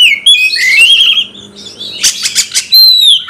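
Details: Caged Oriental magpie-robin singing to provoke fighting: a slurred whistle, a buzzy rasp, then a run of quick harsh chacks and a final high clear whistle.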